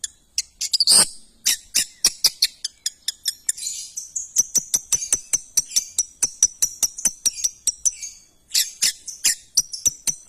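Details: Shrike (cendet) song of steady, sharp, high clicking notes over a long sustained thin whistle, with a few harsh chattering bursts.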